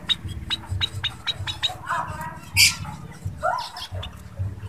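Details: White-headed munia, a pest bird popular with bird keepers: short, sharp, high chirps repeated in quick succession, with one louder, harsher burst near the middle, over a steady low hum.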